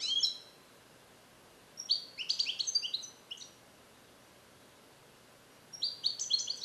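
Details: Captive-bred male European goldfinch, born 2021 and song-trained with Neapolitan passages (passata napoletana), held temporarily in a small carrier indoors; bursts of bright, high twittering notes and quick descending slurs in three phrases separated by pauses, faint hum beneath.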